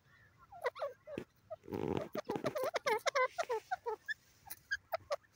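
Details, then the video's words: Francolin calling, a fast, uneven run of short harmonic notes that rise and fall in pitch, closely packed, with a brief rough noisy burst near the start. "jungli teeter ki awaaz"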